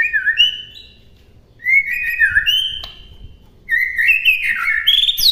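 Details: Oriental magpie-robin master song for songbirds to copy: three bright whistled phrases of sliding, warbled notes rising and falling, separated by short pauses, ending on higher squeaky notes.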